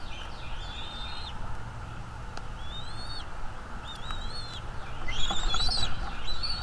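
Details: Bald eagle calling at its nest, filmed by a nest camera on 23 April 2021 at 07:25: high, thin whistled notes with slurred, wavering pitch, in several separate phrases, over a steady low rumble.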